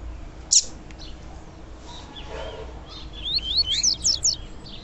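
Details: Female papa-capim, or double-collared seedeater, giving a call used to excite males: after a sharp click, a closing burst of rapid, high, thin chirps, each sliding quickly downward.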